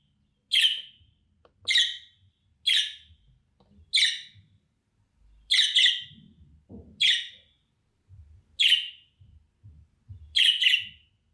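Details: Contact calls of a budgerigar, used to call back a bird that has flown away: eight loud, scratchy chirps at uneven intervals of roughly one to two seconds over soft low background rumble.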